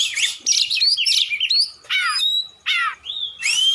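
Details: Oriental magpie-robin (kacer) in full, loud song meant as a long training track to spur lazy birds to sing: bright whistled phrases and steeply falling slurred notes separated by short pauses.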